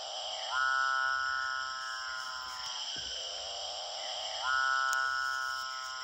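Capuchinbird giving two long, steady, drawn-out mooing notes about four seconds apart, rich and nasal in tone, over a constant high hiss in the background.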